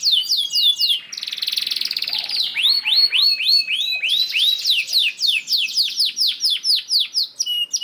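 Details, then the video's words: Canary singing a long lure song to spur other canaries: descending whistles, a buzzy churring stretch, then a steady run of looped arched notes about four per second. "PANCINGAN KENARI GACOR DOR NGEREK PANJANG INI AMPUH BIKIN KENARI LAIN BUNYI"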